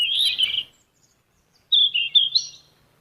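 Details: Yellow-rumped flycatcher song for training captive birds: a loud, slightly harsh opening burst, a pause, then a clear, high warbled phrase that steps down and rises again.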